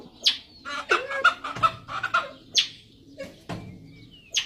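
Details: Grey junglefowl giving a series of short, harsh, harmonic clucking calls with sharp clicking notes between them, fairly loud and close.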